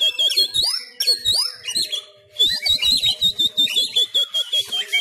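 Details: A Sumatran Oriental magpie-robin in fighting-style song, trained at home while contests were closed, pours out a loud, fast medley of sweet whistles and sharp chattering notes over a steady run of lower, swooping notes.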